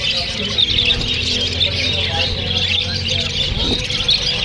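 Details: Several Australian parrots chatter back and forth in steady, busy, high-pitched chirping that never pauses, over a low background hum.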